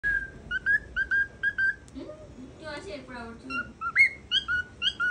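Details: Pet cockatiel, a visiting bird said to say its own name, giving short clear whistled notes repeated about twice a second, with a burst of low warbling chatter midway.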